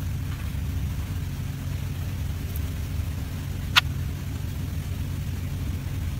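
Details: Steady low rumble like passing traffic, broken by a single sharp click near the end, with no animal voice.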